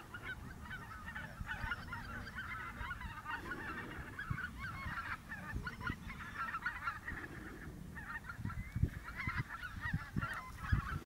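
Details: Flock of lesser white-fronted geese at Camperduin, the Netherlands, keeping up a continuous chatter of high, squeaky yelps for eleven seconds over low wind noise and occasional thumps.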